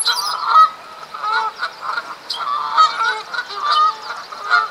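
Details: Canada geese during spring mating season, fighting for females, Duke Farms, New Jersey, April 2015; clusters of nasal honks with short pauses between bursts, several birds calling together.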